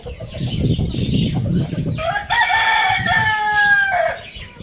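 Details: Rooster crowing in the morning in a farm village: a harmonic crow rising then held flat for about two seconds before dropping, preceded by low rumbling background noise.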